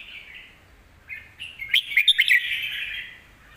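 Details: Caged Red-whiskered bulbul singing, kept for teaching young birds: a sustained warbling band with a quick burst of sharp chirps and whistles in the middle, then a long fading trill.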